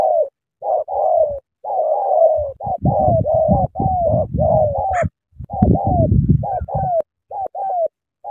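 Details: Cà Mau spotted dove, Vietnam, delivering a long eager run of short descending coos in quick succession, some paired, over a background of dull low rumbling and a single sharp click.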